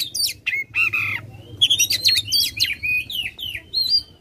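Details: Aggressive tail-fanning Oriental magpie-robin giving short harsh notes followed by clean sliding whistles and rising downslurred phrases, loud and close.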